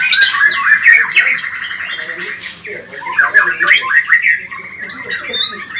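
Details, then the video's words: Provoking lure song of a pastol-type white-rumped shama. Rapid trilled notes blend into fast chattering and whistled phrases, with notes repeated several times per second. "BIKIN Murai batu pastol cepat bunyi gacor emosi"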